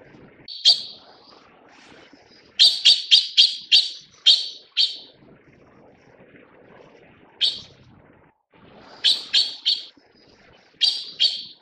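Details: Taiwan blue magpie (Urocissa caerulea) feeding chicks, giving harsh, rasping calls in quick runs of four to five, with short pauses between bursts.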